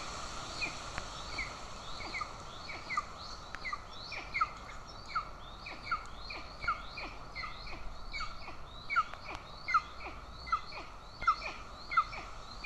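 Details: In Estonia on 20 June 2024 a golden eagle mother feeds an aggressive chick at the nest while the father holds a bird; short downslurred chirps repeat roughly every second, fairly steady, against continuous background hiss.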